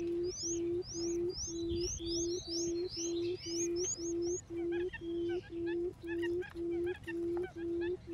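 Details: Quail (cút um) giving low, hollow hoots, about two each second in a steady, even run, as a decoy call that lures quail in, with thin high chirps from other small birds behind.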